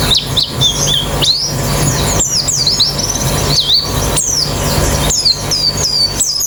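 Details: White-eyes in a therapy recording to encourage fast singing with the beak open: high swooping whistles and chirps in bursts separated by short gaps, several voices overlapping, with a low steady hum.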